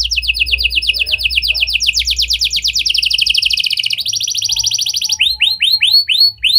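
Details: Canary lure song in lovebird and prenjak style for coaxing other canaries: several dense high trills shift pitch in blocks, ending with short rising whistles, over a low background rumble.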